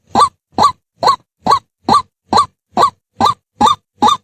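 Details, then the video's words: A White-breasted waterhen gives a harsh, croaking note with a rising twist, repeated steadily about twice a second, ten times in a row, with nothing else heard. "White breasted Waterhen Bird Voice"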